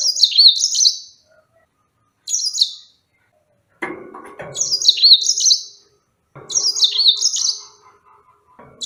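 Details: A yellow-fronted canary repeats high, cheerful warbled phrases of rapidly descending notes, four bursts over nine seconds. Lower scraping and clattering sounds fall between the later phrases.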